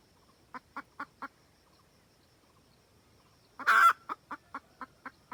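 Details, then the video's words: Trapping lure of a wild red junglefowl hen calling the rooster: four quick clucks, a pause, then a loud harsh squawk followed by a further string of clucks. "Gà mái rừng cực tác gọi trống"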